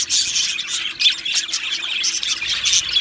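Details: Two male Australian budgerigars chattering in a fast, busy jumble of high, harsh chirps and buzzy squeaks, rising and falling in bursts about every half second.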